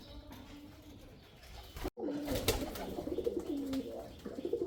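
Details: Male pigeon cooing after a brief silent break: low, throaty rolling coos that waver up and down, set against a steady background hum with a few sharp knocks.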